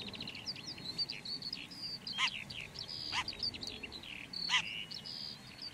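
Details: Red-backed shrike delivering a softer, rambling warble of thin high notes broken by three sharp clicking strokes, over a quiet rural background.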